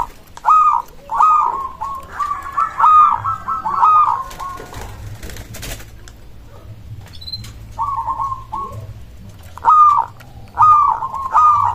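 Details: Local zebra dove song, said to make other doves answer at once: bursts of low stuttering coos, some overlapping, with quiet gaps between phrases.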